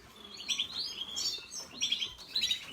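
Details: Red siskin, a small finch, singing up close in captivity: high twittering phrases of rapid chirps and trills, delivered in bursts around half a second, again near one second, and at about two seconds, with a man talking softly nearby.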